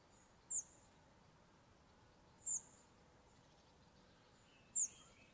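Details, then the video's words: A Spotted Flycatcher gives thin, very high, sharp 'tsee' calls, three over five seconds, spaced about two seconds apart, against a faint background hiss. "Grauwe Vliegenvanger / Spotted Flycatcher (Muscicapa striata) roep / call"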